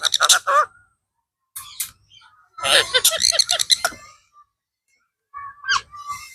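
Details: A blue ringneck parrot talking, an Indian talking parrot. It gives raspy, speech-like harmonic syllables in several bursts, with a dense squawky run in the middle and short tonal notes near the end. No other sounds are heard.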